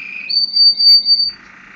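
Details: Gloster canary singing a song phrase: a low buzzy note, then a long, pure, steady high whistle held for about a second, followed by a softer rolling buzz.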